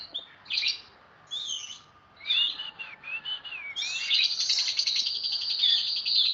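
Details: Loud Oriental magpie-robin song for training other songbirds: separated whistled phrases, a wavering series of slurred notes, then a sustained high buzzy chattering run, over faint background hiss.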